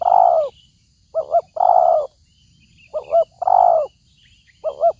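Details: Spotted dove cooing as a lure for trapping: long mellow coos alternate with quick paired hoots in a steady rhythm, repeating about every two seconds. Faint high chirps of other birds sound behind.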